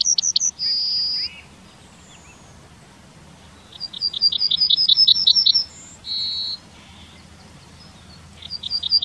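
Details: Town-dwelling Yellowhammer recorded in Wittlich in 2019, repeating its song: brisk trains of high, buzzy repeated notes each capped by a long steady drawn-out note, sung three times with short pauses.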